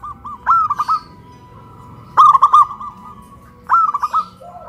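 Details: Caged zebra doves raised on a pole in Kuningan, West Java, singing in a big-voice versus crystal-voice duet; three bright phrases start with a rising trill and end in clipped repeated coos, about every one and a half seconds.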